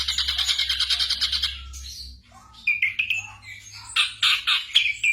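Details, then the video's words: Black drongo in night-time training audio for caged birds, opening with fast pulsed chattering, then a pause, then scattered whistled and harsh notes with a low hum in the background. "TERAPI SRIGUNTING MALAM HARI"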